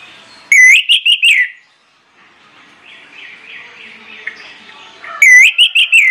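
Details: Orange-headed thrush (anis merah) singing: two loud bursts of rich, ringing whistled phrases about four seconds apart, with softer, rambling warbling in between.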